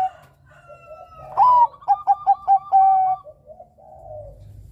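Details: Melodious Bangkok-strain zebra dove song meant to provoke rivals into singing. A bright upswept first note leads into five quick staccato coos and a drawn-out final coo, with quieter coos from other doves before and after.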